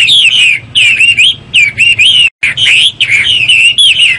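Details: A Chinese hwamei pours out loud, varied whistled song: bright looping notes strung into rapid phrases, with one brief silent break midway.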